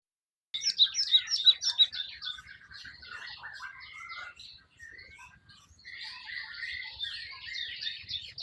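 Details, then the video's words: Java sparrow singing in the wild: a loud opening run of sharp high chirps, then a softer stream of quick clicky, tinkling notes and short slurred whistles, about three per second. "burung Glatik"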